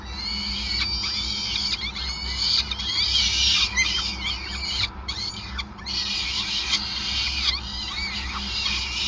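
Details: Feeding at a peregrine falcon nest in Groningen on 5 May 2020; nearly continuous, loud, shrill screeching calls with brief gaps, overlapping voices and a constant low hum throughout.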